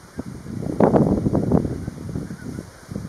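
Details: Pink-footed geese near Guardbridge, a flock giving overlapping low, nasal honking calls in an irregular chorus, loudest in the first half, with background noise throughout.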